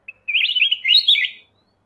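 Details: One continuous warbling phrase from a black-crested bulbul, just over a second long, a lively run of liquid, rising and falling notes after a single short introductory chirp.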